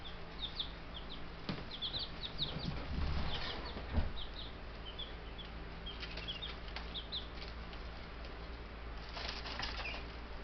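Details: Baby Buff Brahma chicks, ten birds, homestead bird yard, May 6, 2019, four days after collection from the post office; busy high-pitched peeping in quick clusters, some sharp taps and a rustle, steady low hum.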